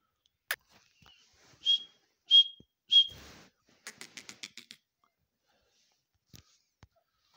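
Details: Grey francolin: three clear whistled notes in quick succession, followed by a quick series of faint clicking ticks and a few soft clicks in an otherwise quiet background.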